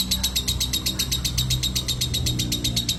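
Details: Fast shrill chattering from a lovebird in ngekek style, high notes pulsing about seven times a second for three seconds, over a noticeable low hum.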